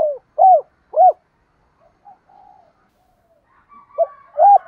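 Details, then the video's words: Spotted dove, male and female, challenge call to provoke rival doves: three short arched coos at the start, a quiet stretch of faint notes, then two more coos at the end. "tiếng chim cu gáy kích bổi hiệu quả"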